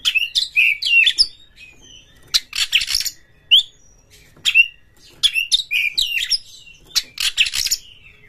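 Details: Oriental magpie-robin song, a fast lure to stir other magpie-robins into full singing: bursts of clear whistles and harsh buzzy notes, in three phrases separated by short pauses.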